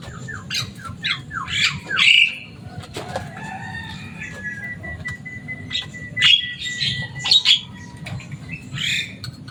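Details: Pet Javan myna, described as noisy and speech-mimicking, making rapid clicking notes, scattered squawks and a drawn-out thin whistle, with quieter stretches and a low hum throughout.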